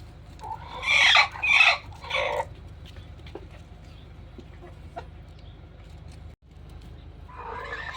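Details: Rooster calls that seem to warn of danger: three loud harsh squawking bursts in the first two and a half seconds, then quiet, and another raspy call starting near the end.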